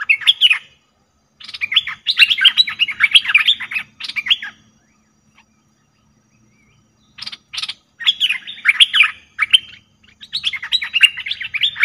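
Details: Cream-vented bulbul calls used as a trapping lure: bursts of bubbly, chattering notes that rise and fall, in three phrases separated by short silences.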